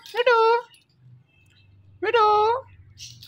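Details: Indian ringneck parakeet talking, saying "Mitthu": two separate harmonic, voice-like syllables about a second and a half apart, with a low hum in the background.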